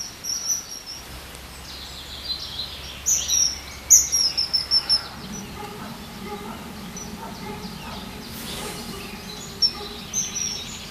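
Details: Common kingfisher, noted for its sharp, penetrating voice, calling in a burst of piercing high notes in the middle, with softer scattered peeps before and after and some low background murmur.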